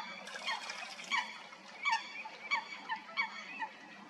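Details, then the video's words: Fighting coots at Stodmarsh, Kent, UK: a run of nasal, downward-bending honks at uneven intervals over a noisy splashing background. "Coots fighting"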